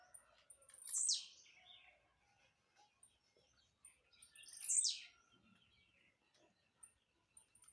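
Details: Two crisp, buzzy notes dropping quickly from very high pitch, spaced almost four seconds apart, from a blue-black grassquit that jumps as it sings; quiet between, with faint high ticks.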